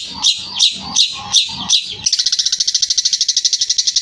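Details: Long-tailed shrike singing: five loud, harsh chattering notes spaced about a third of a second apart, then a fast, even, high-pitched trill of clicking pulses; faint low thumps below.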